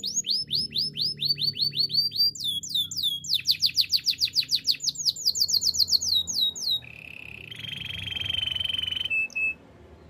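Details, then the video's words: Canary in full song for training: repeated quick rising whistles, then a burst of sharp descending strokes, followed by a long pulsing buzzy trill that swells before ending in brief chips. "Bird sounds canary chirping - The beautiful canary song"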